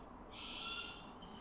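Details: Captive striated caracara, one of three birds, during enrichment: a single harsh, nasal screech lasting under a second, strong and buzzy, with faint background hum.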